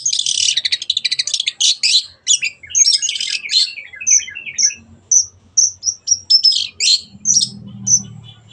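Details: Long-tailed shrike in full song as a lure for birds that have gone quiet: dense scratchy chatter, then clear high whistled notes about every half second, with a low hum near the end.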